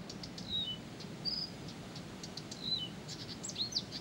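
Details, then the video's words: Blyth's reed warbler song, sparse and high: brief thin whistled pairs repeated at intervals of about two seconds, with soft clicks between them and a low background murmur. "САДОВАЯ КАМЫШЕВКА НЕ В СИЛАХ ПОМОЛЧАТЬ!"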